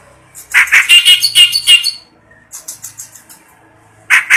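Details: Kept clamorous reed warbler singing vigorously, day and night: a loud run of harsh, grating notes repeated rapidly, softer chattering in between, and another strident burst at the end.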